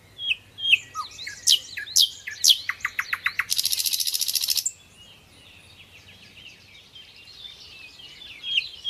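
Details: Common nightingale (sikatan londo), a song recording for training other songbirds. Varied whistles and sharp chirps lead into a quick run of repeated notes, then a loud buzzing rattle for about a second, followed by quieter twittering.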